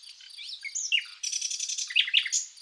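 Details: Spring song of a common nightingale in Zagorochoria, Epirus, Greece: sliding whistles give way to a rapid rattling series of repeated notes, then sharp chirps. Behind it, a cricket keeps up a steady pulsing chirp.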